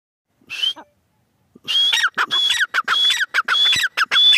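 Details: A female francolin gives one short rasping note, goes quiet for a second, then breaks into a rapid run of repeated scratchy phrases. Each phrase is topped by a steady high whistle.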